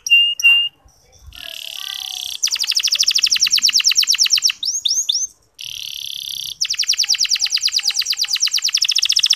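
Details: Local canary lure song, played so that less eager male canaries start singing: varied phrases with short whistles, flat buzzy notes, rapid rattling trills and a few quick downslurs, separated by brief silences.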